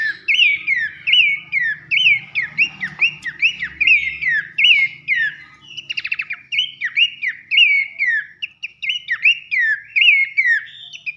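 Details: Abbott's babbler whistling loudly for contest-bird training: bright downslurred notes repeated roughly twice per second for over ten seconds, broken midway by a brief rapid clicking trill.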